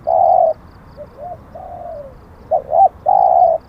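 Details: Zebra dove, a contest-type cooing bird, giving a loud clear coo: a long steady low hoot, a few short soft rising-falling notes and a drawn-out sliding note, then a quick double note and another long steady hoot.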